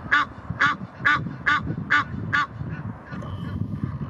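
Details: Egyptian geese defending territory at Ludwigshafen am Rhein's Blies: six hoarse, braying honks spaced about half a second apart, then fading to faint calls over a background of low rumbling noise.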